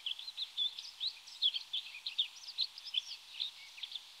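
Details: Rustic bunting (Emberiza rustica) call: a quick, uneven stream of thin, high chirps and twittering notes, about two to three a second, over a soft background hiss.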